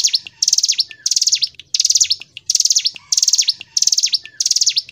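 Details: Ciblek gunung, the hill prinia, in energetic continuous song: short bursts of fast, scratchy, high-pitched buzzy trills repeated roughly every half second, each burst ending in a quick downward note, with a faint lower whistle behind.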